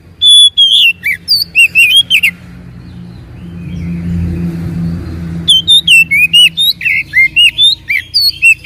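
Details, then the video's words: Oriental magpie-robin song used as a lure to provoke a reluctant bird into answering: two bursts of clear, varied whistled notes with sharp upslurs and downslurs, separated by a few seconds of low rumbling background. "PANCINGAN BURUNG KACER MALAS BUNYI DIJAMIN NYAUT"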